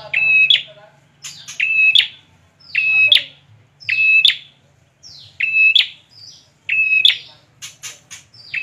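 Bar-winged prinia: loud, sharp, high chirping notes repeated about every second, each with a bright ringing quality, over a faint low hum early on.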